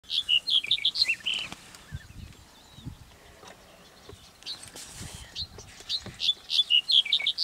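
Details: Black-headed bunting at Skala Kalloni, Lesbos, Greece, May 2010, sings short, jangling phrases of bright chirped notes, each a second or two long, with pauses between and faint low rumbling beneath.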